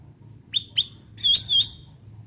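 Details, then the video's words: Natural recording of a cucak ranting bulbul for lure or tutor use: two quick upslurred chirps, then two sustained high whistled notes, with a soft low background hum. "cucak ranting suara alam"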